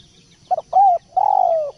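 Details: Tekukur or spotted dove giving one song phrase: a brief double note, a fuller coo, then a long drawn-out purring coo that slowly falls in pitch. Faint twittering sounds in the background.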